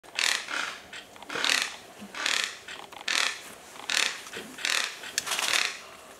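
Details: Plate-billed mountain toucan in cloud forest gives dry, rasping rattles, about eight harsh bursts in six seconds at an uneven pace, with nothing else prominent.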